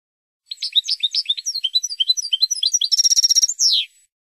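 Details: European goldfinch Spanish song for training cage birds: lilting, slurred twitters quicken into a fast metallic trill, followed by a drawn-out, rasping descending buzz at the close.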